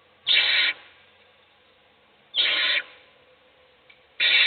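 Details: Owl chick fed in a nest box while the rest of the brood sleeps; three loud, broad rasping hiss bursts about two seconds apart, with a faint tick between them.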